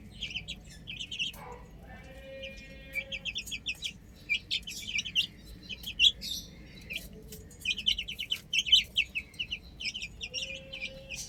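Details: Chicks playing on a rooftop, a chorus of shrill, rapid peeps in uneven bursts, with a faint steady tone heard now and then beneath them.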